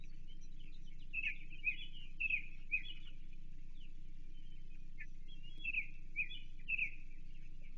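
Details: Osprey at its Chesapeake nest, 28 June 2023, with a shad brought for feeding: clusters of high chirping whistles come in two bursts separated by a quieter gap, above a continuous low-pitched hum.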